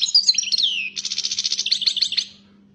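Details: European goldfinch (Carduelis carduelis), described as fired up, singing a bright twittering phrase: a sweeping whistled slur, then a rapid run of buzzy, metallic notes fading out, over a faint steady low hum.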